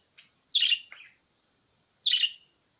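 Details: Budgerigar calls used to encourage a pet budgerigar to sing: a faint thin note, then a loud scratchy chirp with a lower buzzy tail, and after a pause another sharp chirp.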